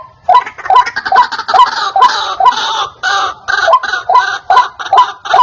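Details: Lure recording of a white-breasted waterhen, very clear and loud: rough, clucking croaks in a rapid, fairly even run of a little over two per second.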